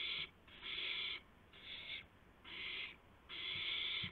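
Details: Night owl sounds at 2:51 AM, 2 April 2016, around a gopher delivery: five harsh, noisy hiss-screeches of varying length, some nearly a second long, with quiet gaps and faint bumps between.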